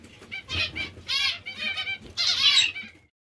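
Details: Zebra finches, described as hungry, beg with four loud rasping bursts of nasal, harmonic calls, then fall silent at the end.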